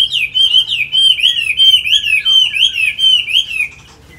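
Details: Chinese hwamei, a tamed cage bird in Hanoi, Vietnam, sings a continuous chain of rich, wavering whistles, each phrase swooping up and down in quick succession for nearly four seconds before stopping.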